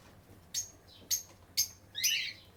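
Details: Captive lovebird giving three sharp, high, clipped chirps about half a second apart, then a longer burst of shrill, squeaky chatter; quiet background.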